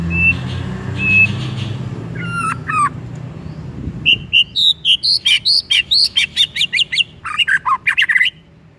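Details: White-rumped shama song used as a lure to trigger another shama into singing: two steady high whistles, then a rapid run of clear, bright notes rising and falling, repeated quickly with short gaps.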